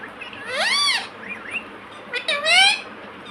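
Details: Pet ring-necked parrot indoors, said to call "mummy": two drawn-out, arched, nasal harmonic syllables about a second and a half apart, with softer short notes between them, in a quiet room.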